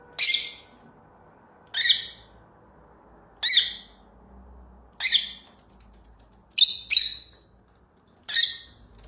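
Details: Lovebird giving harsh, short squawks, roughly one every one and a half seconds, one doubled, with a quiet low background.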